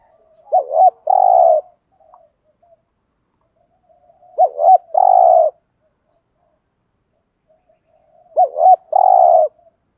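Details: Spotted dove giving the 'thúc gù' coo for luring wild doves. Three evenly spaced phrases arrive about every four seconds, each a wavering double hoot joined to a long vibrating coo.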